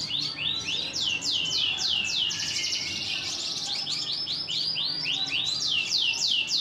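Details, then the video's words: A red siskin sings klasik ngeriwik kasar: a loud, fast series of high downslurred whistled notes, about three to four each second, merging into a buzzy trill in the middle before the slurred notes resume. "Red Siskin Klasik Ngeriwik Kasar"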